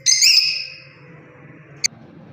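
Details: Lovebird parrot producing a loud, shrill screechy chirp that tapers away, followed later by one brief sharp click-like note over a low hum.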